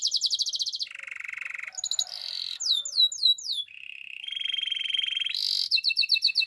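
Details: Belgian canary morning song built from varied tours: a quick pulsed trill, a low buzzy roll, sweeping downward whistles, a long rattling trill, a harsh high burst and clipped notes.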